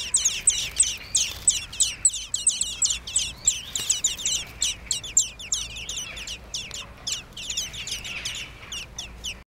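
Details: Young common blackbirds produce a rapid series of sharp, high squeaky notes, roughly three per second, loud at first and fading toward the end, over a quiet background.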